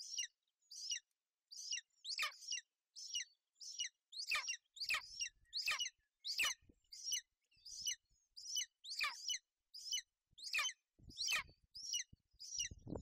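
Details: Golden eagle at a nest in Bucovina on 28 May 2021, a female sheltering her chick from inclement weather. High, thin, downslurred chirps come in a steady series, roughly one every 0.7 seconds, some notes louder and sharper than others.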